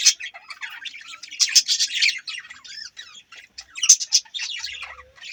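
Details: Budgies chirping: busy, overlapping chatter of short high chirps, squeaks and warbled twitters from several birds, in bursts with brief pauses between them.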